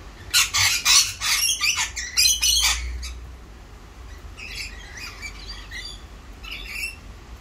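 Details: Wild Australian Rainbow Lorikeets give harsh, rapid screeches in a loud burst over the first three seconds, then softer chattering and squeaks from further off.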